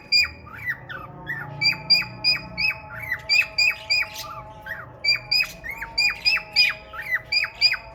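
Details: A male cockatiel courting a female budgie with red eyes chatters in quick strings of clipped, down-slurred chirps. The notes come almost evenly, with a faint low hum in the background.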